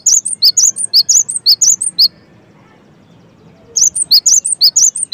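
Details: Cinereous tit singing briskly, bright high notes in pairs repeated in an even rhythm, pausing for roughly two seconds before resuming.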